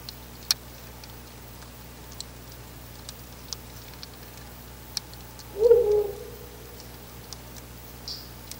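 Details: Ural owl at a nest box before dawn, about 04:25 on 10 August 2019, calling very close: one low, soft, slightly wavering hoot past the middle, with scattered faint clicks and ticks around it.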